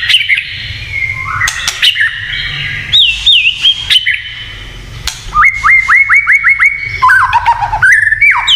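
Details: White-rumped shama singing a fierce 'kretekan' song said to provoke other shamas: varied whistles and sharp clicks, then a run of seven quick rising whistled notes repeated evenly, ending in falling whistles.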